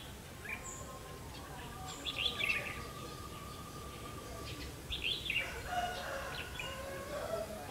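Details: Red-whiskered bulbul, 'mí lửa' variety, singing as a trapping decoy on 31 October 2016; two clusters of lively warbled notes around two and five seconds, separated by a steady faint tone and background hiss.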